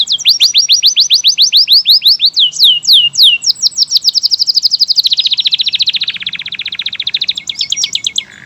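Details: Rich canary song from local, AF and AFS types: repeated upswept whistles, louder looping notes, then a long dense rattling trill that broadens and fades into a steadier high trill.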